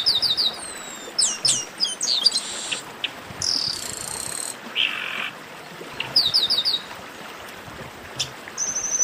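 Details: Chestnut-capped blackbirds in a noisy chorus used to warm up other singing birds: bursts of high, thin whistled notes and downslurred sweeps, some in quick stacked runs, separated by brief pauses over a steady hiss.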